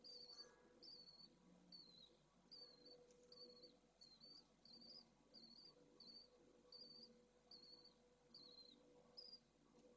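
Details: Pallid swift nest at Esclavas de Jerez, Jerez de la Frontera, holding two freshly hatched second-clutch chicks in hot weather. Brief, high, slightly falling peeps repeat fairly steadily, a little over once per second, above a steady faint drone.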